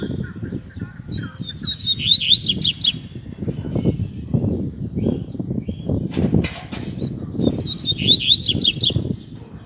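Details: Tui Tui Zel Zel song of a Double-collared seedeater, a song style for teaching young birds. Two short high phrases of clipped whistles with fast descending slurs come about six seconds apart over continuous low thumping and rustling.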